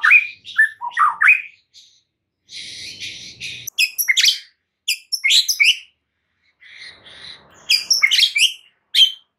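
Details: To rouse a stressed white-rumped shama into song, this lure carries sharp chattering notes and high squeaky phrases in short bursts, separated by brief silences and one softer raspy patch.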